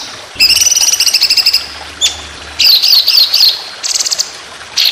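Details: White-rumped shama long rapid-fire contest phrases: a high rattling trill, a lone sharp note, a wavering warbled phrase, then short buzzy bursts.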